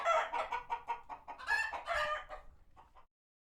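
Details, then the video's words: Chickens on a farm sanctuary react to a passing hawk: rapid series of short clucks and squawks overlap, swell to a louder cackling burst, then fade to a few quieter clucks before silence. "Chickens Gone Wild | Farmyard Frenzy |Authentic Clucking Sounds"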